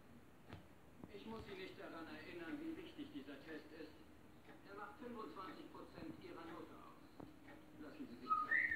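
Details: Grey parrots talking in German, with phrases like "Papa hat sauber" and "kleiner Schlawiener": soft, speech-like chatter, then a couple of sharp, rising whistles at the end; faint background voices indoors.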